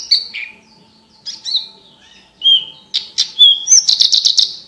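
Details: Slurred whistled notes, some falling, build into quick chirps and end in a rapid buzzy trill. A branjangan, or Javan bush lark, is singing as training material for contest birds, with a faint steady hum behind.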